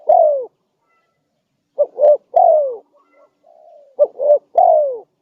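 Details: Vigorously calling spotted dove on a lure recording: phrases of two short low coos and a longer downward-sliding coo, repeated roughly every two and a half seconds over a quiet background.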